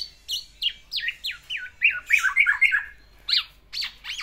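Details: Pet black-naped oriole singing its isian phrases to court a female: a cascade of downward-slurred notes, a warbled middle section, then a few sharp upswept calls.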